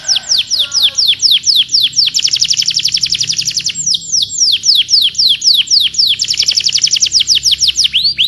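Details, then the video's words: Canary song used as a training model for other canaries, made of fast, high, downward-sweeping whistled notes in long repeated series, some slower and some rolled into quick trills, with a few lower notes near the start. "The sound of canaries"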